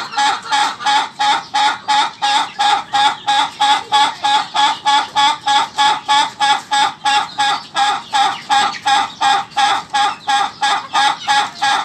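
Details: An ayam ketawa laughing chicken keeps up a twelve-second chain of quick, even chuckles, about three per second, each a crisp bright syllable at a steady volume.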